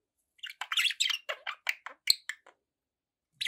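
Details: A rapid series of bright chirps and squeaky warbled notes from pet budgies, about a dozen in quick succession, a sharp click among them, then a pause and one last chirp.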